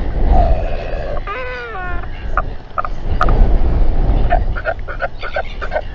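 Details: Royal albatrosses gathering and fighting near a nest in New Zealand, evening of 27 January 2021, camera recording; a brief wavering harmonic wail, then a run of short rapid clattering pulses, all under heavy wind noise.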